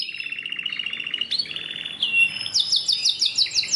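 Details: Rapid trilled song of a Belgian canary, a steady low run of repeated notes, a short whistled slide, then a high, fast pulsing trill.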